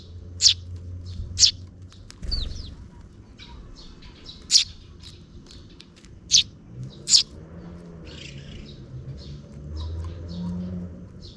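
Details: Near dusk, a parent sparrow feeds two chicks; scattered thin high chirps with a brief thump partway, a quieter spell of soft chips, and low background rumble.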